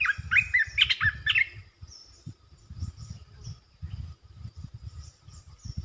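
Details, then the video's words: Red-eyed bulbul, a resident territory holder, calling: a quick run of bright, chattering notes in the first two seconds, then only low rumbling background noise. "เสียงนกกรงตาแดงEp.219 จ้าวหยกสายเรียก!! เจ้าถิ่นมารำ Suara merbah belukar gacor"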